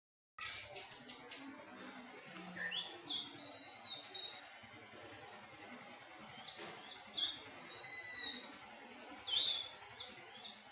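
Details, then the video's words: Thrush singing a melodious song of high, sharp whistled notes and slurred descending phrases in bursts, separated by short pauses, with a quiet background. "Burung anis teleng suara merdu"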